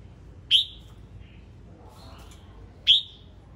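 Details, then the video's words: Singing male red-whiskered bulbul giving two loud, clear whistled notes that sweep sharply up then level off, spaced about two and a half seconds apart, with faint softer notes between. "Tiếng chim chào mào trống hót"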